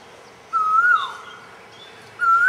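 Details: Black-naped oriole (Oriolus chinensis) singing in a fruiting tree among feeding bulbuls and barbets, giving two clear, fluty whistles, each gliding slightly upward, spaced over a second apart, with a soft background hiss.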